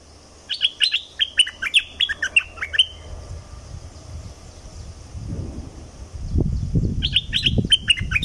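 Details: Streak-eared bulbul from southern Thailand singing a run of quick chirpy, slurred notes for about three seconds, then again near the end, with low rumbling noise in the background.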